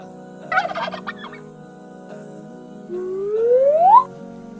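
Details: Turkey (Meleagris gallopavo), gobble.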